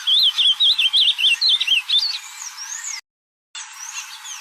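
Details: Wild ultramarine grosbeak in natural surroundings delivering a fast, wavering whistled phrase of many up-and-down notes over two seconds, followed by softer distant bird calls.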